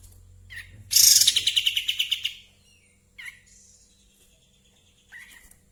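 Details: Cream-vented Bulbul, in breeding condition and spreading its tail, delivers a loud rapid rattling trill of about a dozen pulses, then a few sharp separate chirps.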